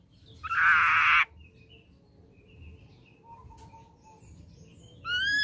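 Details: Ashy drongo lure song for drawing a response from young birds. It begins with a harsh, buzzy burst lasting over half a second, followed by soft, thin whistles. The clip ends as a loud, clear whistle starts.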